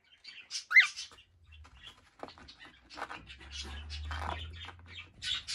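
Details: Large young male cockatiel chicks giving harsh, raspy calls in short broadband bursts, one loud squawk near the start followed by softer scratchy calls, over a steady low hum.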